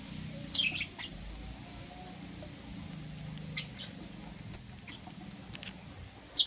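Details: Green Personata and Yellow Pastel Pied lovebirds in the morning giving sparse piercing chirps: a burst early on, a sharp squeak midway and another at the end, separated by quiet stretches with faint low murmur.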